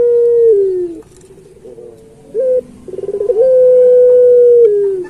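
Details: Master song of a puter pelung turtle dove for training others of its kind: a falling drawn coo, a soft pause, a short rising note, a rapid pulsed trill, then a long level coo that drops at the end.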